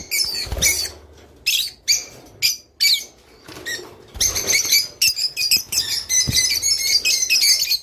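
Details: Rice finch singing, offered as a sound to get pet birds mating: short high chirps and squeaks at first, among soft thuds like wing flutters, building into continuous fast twittering.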